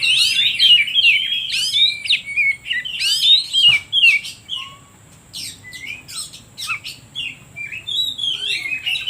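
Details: Oriental magpie-robin singing, used as a lure to provoke other birds and spur silent ones to sing: rich varied whistled phrases, sweeping and warbling, interspersed with sharp high rising notes, a short pause midway before phrases resume.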